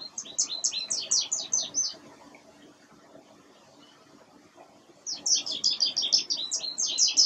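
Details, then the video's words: American goldfinch at winter sunflower seed feeders, delivering fast, high, twittering runs of repeated chirpy notes, one lasting about two seconds, then a quiet stretch before a second lively run. "Chardonneret jaune, chant/ American Goldfinch, song"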